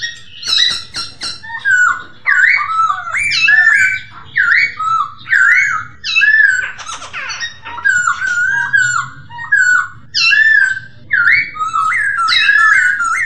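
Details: Masked laughingthrush (poksay hongkong) song meant to stimulate stressed or silent kept birds: loud, continuous, varied whistled phrases with bent, warbling notes in short bursts separated by brief pauses, plus a few harsher scratchy notes.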